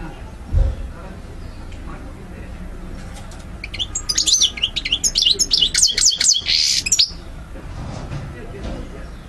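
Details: Goldfinch (maqnin) song for training birds: quiet start with a dull thump, then about three seconds of rapid twittering ending in a buzzy trill, followed by quiet.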